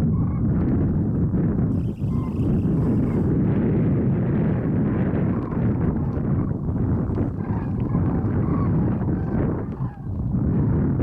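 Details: Large migrating flock of Common Cranes passing over the Strabrechtse Heide on 5 March 2013, at least one dropping into a pool nearby, giving overlapping rolling, trumpeting calls partly masked by strong low rumble and wind noise.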